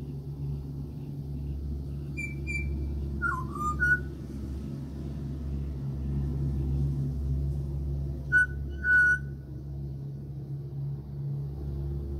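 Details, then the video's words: Sparse, pure whistles from an Australian pied butcherbird at a house: two matched high notes, a quick sliding flourish, a long pause, then a final pair of clear notes over constant low rumble. "LISTEN TO THE BEAUTIFUL CALL OF THE AUSTRALIAN PIED BUTCHER BIRD"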